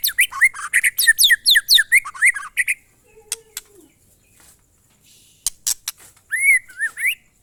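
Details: Monotonous-style (glondong) song of a White-rumped shama: a rapid run of bright whistled and chattering notes for nearly three seconds, then faint clicks and quiet, and a final pair of rich whistles.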